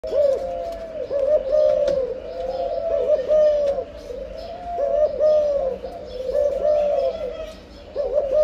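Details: Spotted dove in breeding condition, cooing in the local 'âm lối' style: mellow, low coos in phrases repeated roughly every two seconds, with faint background chirps.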